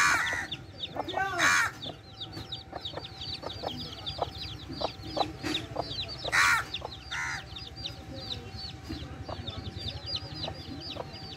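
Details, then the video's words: Mother hen and chicks, with a steady stream of thin high chick peeps, regular short clucks from the hen, and a few louder harsh calls near the start and middle. "Baby Chicks & Mother Hen"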